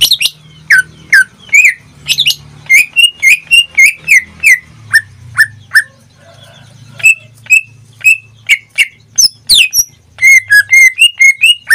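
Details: A kept greater green leafbird that sings almost daily delivers a long run of clear, bouncy whistled notes in quick series. There is a brief pause midway, then rapid repeated chirps. A soft low hum runs in the background.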